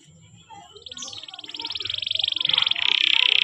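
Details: Canary song used as a training recording for young birds: a long, fast buzzy trill held steady and growing louder over about three seconds, then shifting to a lower rolling trill, over faint background noise.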